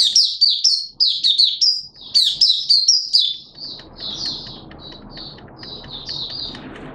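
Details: Malaysian Oriental white-eye singing its 'buka' opening song in captivity on Sunday 21 June 2023: loud, rapid high chirps and whistles, then quieter spaced notes as a low rumble rises.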